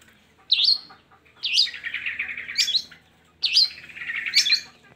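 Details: Long-tailed shrike song to stir lazy shrikes to sing, with three loud hooked chirps each trailed by a scratchy, rapidly pulsed chatter lasting about a second.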